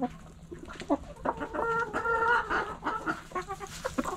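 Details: Backyard hens pecking and scratching, with overlapping nasal clucks and a drawn-out squawking call in the middle, over a busy background of rustling and scratching noises.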